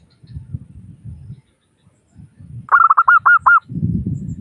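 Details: Local zebra dove, used as a lure to prompt other doves to call, giving one short phrase of rapid, clear, hooked cooing notes that quickly trail off. Low rumbling sounds come before and after it.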